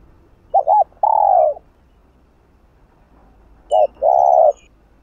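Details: Spotted dove in hạp bổi style calling to excite another dove. Two phrases three seconds apart, each a double short coo then a long steady one; faint high chirps near the second phrase.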